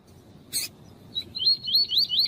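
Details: Double-collared seedeater (coleiro tuí-tuí), recorded alongside a female's calling meant to excite the male: after a sharp click, a run of quick rising whistled notes, each slurred upward, repeated rapidly for about a second.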